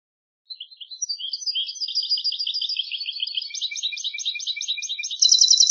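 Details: European goldfinch song for tutoring young birds, from a CD by a master of the Andalusian Hunting Federation: a long, rambling twitter of tinkling notes building steadily, then breaking into a louder, rapid, buzzy trill.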